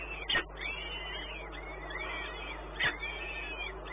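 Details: Peregrine falcon, Płock, Poland, 1 May 2019 around 12:57: repeated arched, whining calls rising and falling in quick succession, broken by two loud clattering knocks, with a continuous low hum in the background.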